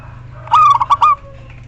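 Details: ['Local female zebra dove calling to the male, used as a lure to prompt silent males to sing: a single clear phrase of four to five quick cooing notes ending in a longer drawn-out note, over quiet background hum.']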